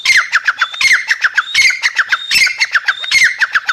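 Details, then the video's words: Grey francolin female giving a fast, continuous series of harsh clucking squawks with downward-sliding notes, interspersed with brief thin whistles, steady rhythm throughout. "gray francolin teetar sound | female teetar awaz"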